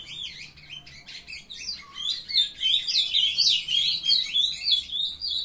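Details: Several captive-bred young ultramarine grosbeaks coming into song at 7:21 a.m. on 23 June sing together in a busy, overlapping warble of quick high chirps and sliding notes, with no pause.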